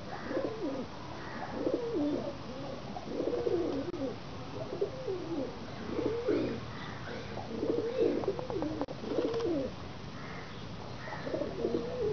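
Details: Pigeons cooing, likely several birds, with repeated low wavering coos that rise and fall, coming in bursts about every one to two seconds over a steady background hiss, and a few sharp clicks.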